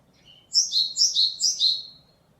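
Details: Japanese tit song recorded 27 March 2022: a phrase of four repeated two-note units, each a high sharp note dropping to a lower one, given quickly in a row over about one and a half seconds, with a faint short note just before.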